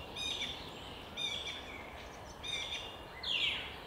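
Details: Thrush in a park giving harmonic, slightly nasal notes in three spaced bursts, followed by a sharper, higher sweeping note.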